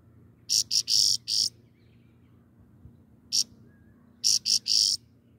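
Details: Grey-crowned goldfinch singing: two groups of short, dense, buzzy high-pitched bursts, four then three notes, separated by a single isolated burst and quiet gaps, over a low background hum.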